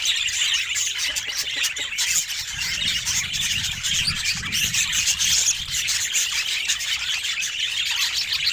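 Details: Budgerigars giving dense, continuous high chirping and warbling chatter, many overlapping squeaky notes with no pauses, and a faint low rumble underneath.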